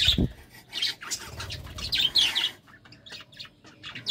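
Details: Budgerigars at love time, uttering scattered squawky chirps and short scratchy warbles, with a low thump at the start and quieter gaps later.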